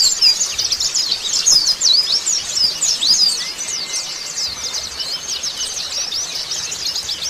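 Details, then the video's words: Oriental white-eye chorus used as a lure to get untrained birds to respond and sing quickly: a dense, unbroken stream of high, thin twittering chirps from many birds, with a faint long whistle running underneath midway. "PANCINGAN BURUNG PLECI BAHAN & OBYOKAN CEPET RESPON BUNYI"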